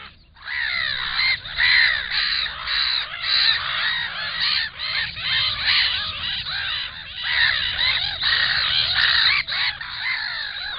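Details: A chorus of black-winged stilts at a nest with an enlarged clutch: many overlapping, repeated nasal yelps rising and falling in loudness, with a low background hum.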